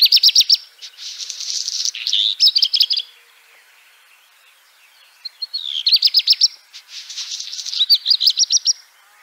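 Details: Black redstart (Phoenicurus ochruros), call.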